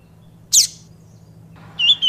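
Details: Double-collared Seedeater (papa-capim) song of the tui tui viviti style: one sharp, very high note sweeping downward, a pause, then a clear whistled note with a trailing fragment, over a steady low hum.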